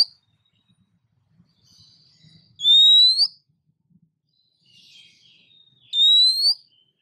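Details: Female Oriental magpie-robin in breeding condition calling to draw in the male: two clear, loud, upward-sliding whistles about three seconds apart, with faint soft rustle and low murmur between.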